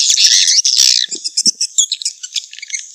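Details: Swiftlet calls used in swiftlet-nest farming: a second of loud, dense buzzy chatter, then scattered short high chips and ticks at an uneven, quickening rate.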